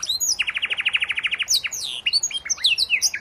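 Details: Tutor song of a canary for moulting young birds: a fast rolling low trill followed by jumbled high twittering and slurred notes.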